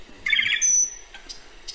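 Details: Loggerhead Shrike song from Idaho: a quick burst of buzzy, jumbled mid-pitched notes, then one high, thin, steady whistle and a few faint notes. At a distance it resembles the end of a Black-throated Sparrow's song.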